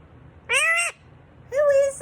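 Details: A pet Indian ringneck (rose-ringed) parakeet, prompted in the morning to say hi, speaks two short, nasal, voice-like words about a second apart, the second slightly longer and flatter, in a quiet room.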